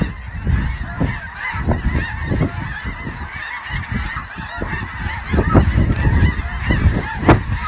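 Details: Snow goose flock: a ceaseless jumble of yelping honks, some nearer, sharper calls standing out in the second half, low rumble underneath.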